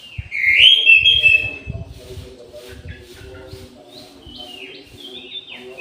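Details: At midday in an aviary, an orange-headed thrush gives a loud, sweet warbling phrase with rising and falling whistles, followed by softer scattered whistled notes, low rumbling knocks and background hum.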